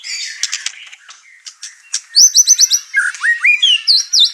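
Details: Over-excited white-rumped shama unloading its repertoire, stirring up the household birds: rough scratchy notes first, then rapid ringing whistles in a repeated series, falling and rising slurs, and sharp high flourishes.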